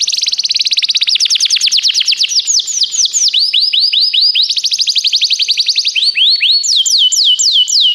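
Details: Canary song used to train canaries: continuous rapid trills of repeated sweeping notes that change speed in stages, ending in slower, looping high whistled phrases.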